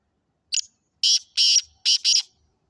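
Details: Black francolin from Sindh calling: a short harsh opening note followed by four loud, grating, broadband bursts delivered in two quick pairs, in otherwise quiet surroundings.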